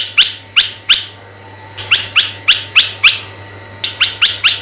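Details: Red-eyed bulbul song for luring bulbuls: three bursts of sharp repeated chirps, three, then six, then four notes, separated by short pauses, with a steady low hum behind.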